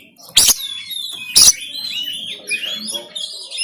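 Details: Oriental magpie-robin, known locally as kacer, singing 'tembakan kasar' in Banten on an Android phone: two sharp loud cracks a second apart followed by rippling high whistles and twitters.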